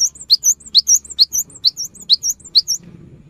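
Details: Cinereous tit singing to coax quiet birds into song: rapid repeated phrases of a sharp high note followed by two slurred whistles, about two phrases per second, ending in soft low background noise.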